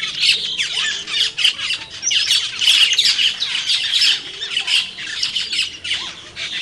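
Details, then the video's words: Wild cucak keling birds giving a busy flock chorus of overlapping squawks, scratchy chatters and short metallic chips, pulsing in loose bursts without pause. "Suara Burung Cucak Keling di Alam Liar"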